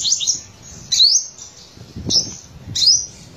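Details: Olive-backed sunbird of the Buru Island subspecies (Cinnyris jugularis buruensis), Maluku, singing high, thin, rapid twittering phrases in short bursts about a second apart, with a faint low background rumble.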